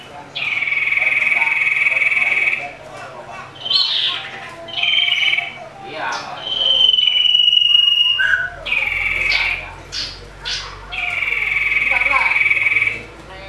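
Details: Common iora in an agitated fighting song, used as a lure to provoke other ioras: long, steady, high whistled notes several seconds each, separated by short sharp chips and pauses, over a faint low hum.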